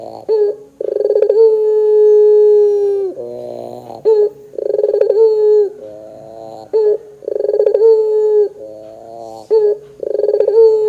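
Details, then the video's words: Puter pelung (Barbary dove) laughing coo as a lure for young doves: repeated cycles of a fast pulsed chuckle leading into a sustained, level coo, interleaved with rough, nasal warbling phrases, about every three seconds. "PANCINGAN PUTER GACOR 100% JOSS TERBAIK 2024, PUTER BAHAN BAKALAN PASTI CEPAT NYAUT BUNYI !!!"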